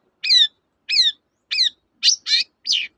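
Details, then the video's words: Long-tailed shrike song as a lure to get reluctant birds singing: three repeated chattering notes with stacked tones, followed by three rougher, scratchier bursts in quick succession. "BURUNG CENDET GACOR, pancingan ampuh burung cendet"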